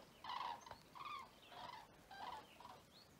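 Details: Loud bugling of common cranes at Vic-la-Gardiole, Occitanie, 25 February 2024: about five harsh, resonant trumpeting calls in quick succession, some bending downward at the end, from more than one bird.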